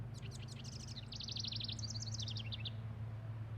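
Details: House wren near its house in a garden gives a rapid, bubbling song of high trills and buzzy notes tumbling up and down, singing because a person is getting too close, over a steady low hum.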